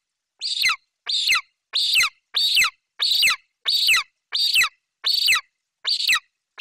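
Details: ['Eaglet of golden eagles in Bucovina, 28 July 2021, vocalizing loudly for minutes after its mother delivers a Eurasian magpie: a steady series of about ten harsh, grating screams, each dropping in pitch, repeated roughly every two-thirds of a second.']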